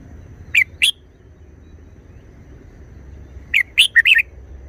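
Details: Red-whiskered bulbul, apparently a caged song bird of the 'Chao Kham Man' style, showing wild-type short song phrases: two quick warbled notes, a pause of nearly three seconds, then a burst of four bright warbling notes; quiet background.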